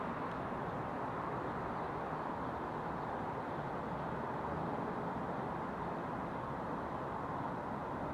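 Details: Steady broadband rumble like passing traffic or wind fills the whole stretch, with no animal calls heard.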